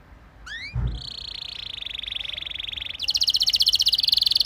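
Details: Canary singing, used to stimulate other canaries: a few rising slurred notes, then a sustained fast trill that shifts into a louder, higher rapid pulsed roll.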